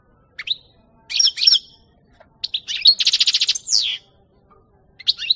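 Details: A European goldfinch in a 2018 recording sings lively twittering phrases, then a fast, evenly pulsed buzzy trill, then a sliding note, with a new burst of chirps starting at the end; no other sounds intrude.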